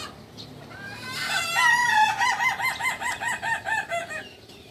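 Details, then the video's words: Kukuak balenggek chicken from Solok, West Sumatra, crowing over a faint background hiss: a rising held note leading into a long run of about a dozen rapid, wavering, evenly repeated syllables. "Ayam kukuak balenggek ayam asli solok sumbar"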